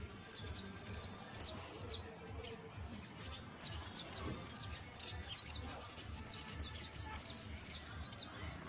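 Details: Saffron finch nestling practising its first songs and trills: a continuous scatter of thin high downslurred notes, some doubled, running throughout at low volume over broad background noise.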